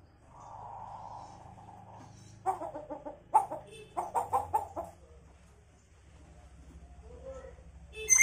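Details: Hill myna kept as a pet, copying a chicken: after a low steady hum, a run of short, nasal clucks comes in uneven bursts, fairly quiet, followed by faint chatter and a sharp click at the end.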